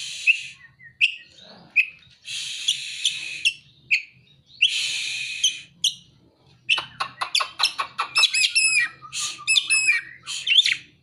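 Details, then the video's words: Oriental magpie-robin singing material imitating ciblek and kolibri: sharp clicks and chirps alternating with long harsh hissing buzzes, then a fast stream of rapid trilled and twittering notes in the second half. "Kacer (materi ciblek dan kolibri)"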